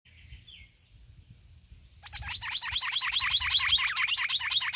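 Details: Green-winged saltator singing in the "treme terra" song style: after two faint seconds, a loud, dense run of rapid, repeated, slurred notes bursts in and carries to the end, growing steadily louder.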